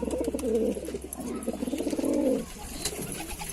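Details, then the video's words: A Lalsara pigeon gives low, throaty cooing in rolling, bubbling phrases around two per few seconds, with a faint steady hum underneath. "Pigeon Sound Full High Quality Performance Voice"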